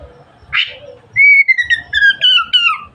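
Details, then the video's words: Oriental magpie-robin in full song, said to stimulate other magpie-robins to open their tails: a short harsh rasp, then a clear loud whistle falling slightly, followed by a series of sliding, descending whistled notes with a faint low rumble beneath. "suara burung kacer gacor merangsang kacer lain cepat buka ekor"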